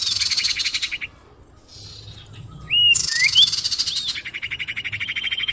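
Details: Attracting call of the common iora used in bird catching: mostly buzzy rattling trills with a couple of short slurred whistles between them.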